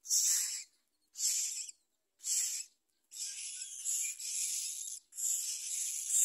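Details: Young myna begging as a parent pushes a large blue caterpillar into its mouth: three separate raspy bursts about a second apart, then merging into near-continuous grating hisses.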